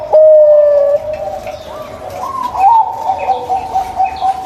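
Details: Local zebra dove song, used as a lure to prompt a dove that will not sing: a loud, sustained mellow coo, then a wavering, slightly higher warbled run of notes, with faint short chirps from other birds behind.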